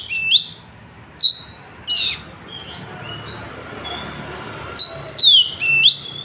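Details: Scattered sharp whistled notes from an Oriental magpie-robin in Trenggalek, Indonesia, phone-recorded, with quiet softer notes between and a cluster of three loud swooping phrases at the end over a low hiss.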